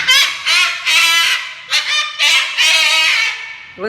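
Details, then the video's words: Moluccan cockatoo, described as the loudest parrot, giving harsh, raspy, very loud screeches in five rough bursts over about four seconds, each bursting with layered overtones, with faint music in the background. "Moluccan Cockatoo Loudest Parrot"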